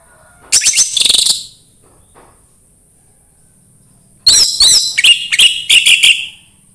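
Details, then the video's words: Orange-headed thrush, 'embun pagi' song used as a prompt for another thrush: a brief high chattering burst, a two-second silence, then a longer sequence of fast bright whistled and chirped notes. "anis merah sulit gacor coba PUTAR suara burung ini | SUARA EMBUN PAGI"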